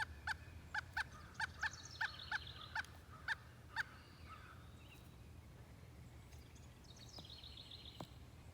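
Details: Pileated woodpecker in Hebron, Connecticut, repeating a quick run of ringing, hollow notes for almost four seconds before falling silent, while thin, high whistled notes from other birds follow.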